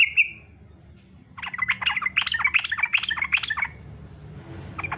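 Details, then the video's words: Yellow-vented bulbul in fighter-style song, used as a lure so other bulbuls join in: an opening slurred whistle, then a fast chattering run of bubbly, liquid notes lasting about two seconds. "SUARA trucukan faghter cocok buat pancingan supaya trucuk ikut faghter"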